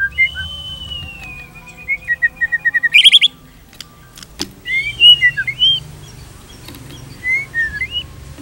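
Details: Shama gives a long, level whistle gradually dropping in steps, a burst of sharp high notes, a loud click, then sparse curling whistles separated by pauses.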